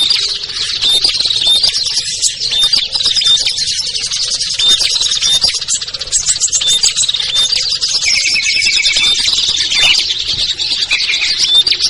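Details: Lure call of small birds used to bring hard-to-catch birds down, featuring ciblek, kutilang, trucuk, sogon and perenjak: a dense, continuous chatter of high chirps and twitters, with short whistled notes repeating every second or so.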